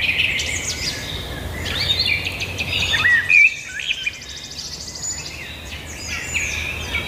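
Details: A chorus of birds chirping rapidly in the open, with a brief looping whistle standing out just after three seconds amid a dense wash of high twitters.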